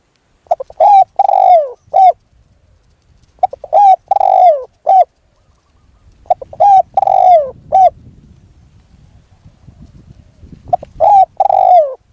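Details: Decoy spotted dove calling while a wild dove is lured: four cooing phrases about three seconds apart, each with short quick notes and a long falling coo, over faint low rustling.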